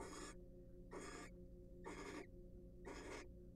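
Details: Wild barn owls at a monitored nest box during a preening and courtship session; four harsh, breathy hissing screeches, each about a third of a second, repeated roughly once per second over a steady low hum.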